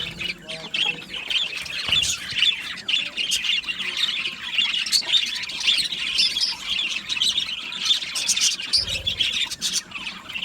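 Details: Colony of budgerigars in an aviary, a flock singing and chirping together: steady high chatter of scratchy warbles and quick squawky chirps, layered and overlapping for the whole stretch.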